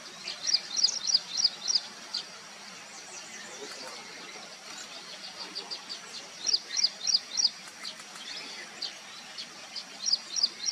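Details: Vernal hanging parrots feeding on pearl millet, recorded in August; series of sharp, high, thin zipping chirps given in quick bursts of four or five, pausing between bursts, over a faint background of softer twittering.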